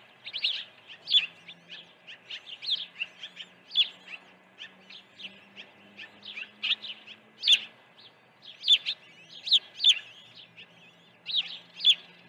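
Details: Osprey nest during early feeding, 08:24 on 1 June 2019: long run of insistent high chirps, roughly two per second, in uneven clusters, a soft low hum in the background.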